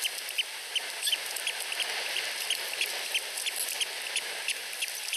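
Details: Osprey young, two chicks under a week old, compete for food from the mother at a Finnish nest. Brief high peeps follow one another about three per second against a continuous rushing hiss.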